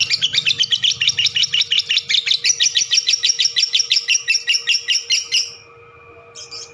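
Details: A lovebird's long chattering bout: a rapid, regular series of scratchy high chirps for about five and a half seconds, then near silence with one faint short note at the end.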